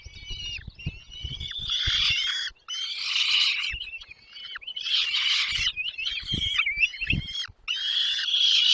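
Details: Hungry nestlings call as the adult birds bring them food. Raspy, high, wavering squeals come in about six surging bursts across the clip, separated by short pauses, with occasional low taps.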